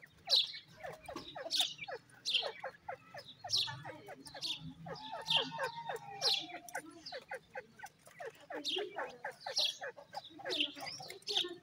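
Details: Several grey francolin chicks calling together: a dense, steady chatter of sharp high peeps and short downward-slurred chirps. A brief, level whistled tone sounds midway, and a low hum runs underneath.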